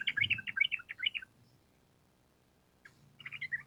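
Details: Sooty-headed bulbul giving a lively chattering song used to coax caged birds into answering. A dense run of rapid bubbly notes, then a lull with faint low rumble, then a short final burst.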